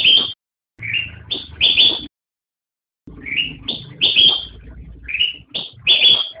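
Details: Song of a black-crested bulbul: two bursts of quick, bright whistled notes, some rising and some sharply falling, divided by a silent gap of about a second.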